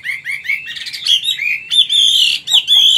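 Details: Wild-caught adult Chinese hwamei, caged, Vietnam: short upward-slurred whistles repeated quickly, then a loud sustained rich whistled phrase in its wild-style song.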